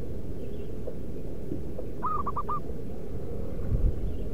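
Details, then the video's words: Single phrase from a local wild zebra dove in natural habitat, used as a lure call: four quick, soft, slightly rising coos packed into half a second against a continuous low-pitched rumble. "Merbuk pikat lokal suara si battosai pemanggil perkutut di alam liar"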